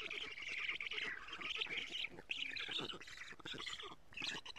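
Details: At an Estonian black stork nest on a June 2017 morning, the female arrives with lampreys for the young; harsh, squawking, wheezy calls surge and break off, then resume in ragged bursts, recorded by a nest camera.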